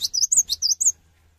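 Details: Actively singing cinereous tit calling other tits to sing along, giving three rapid bright phrases of a falling note, an arched whistle and a high peak before stopping, leaving only a faint low hum.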